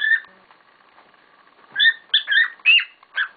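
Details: Pet cockatiels calling loudly: a brief screechy note, a pause, then a run of four rasping, slightly rising chirps.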